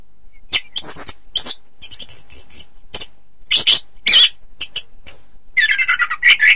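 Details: Orange-headed thrush recorded to teach song for contests: scattered high squeaks and scratchy bursts, a thin high whistle, then a rich warbling jumble of mid-pitched notes at the end.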